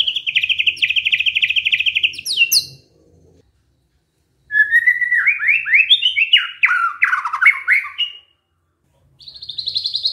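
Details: Canary-imitating song of a white-rumped shama: a long even rattling trill, a pause, then a jumbled run of falling and rising slurred notes, then another high trill.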